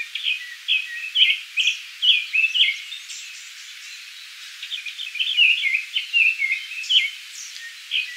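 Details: A Japanese thrush in Kiyokawa village, Japan, sings a rapid string of varied, clear whistled phrases, rich and fluty, with brief pauses between bursts over faint background hiss.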